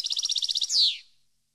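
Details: European goldfinch song used for training captive birds: a rapid run of about a dozen bright, even chirps, then a single louder downslurred note fading out cleanly.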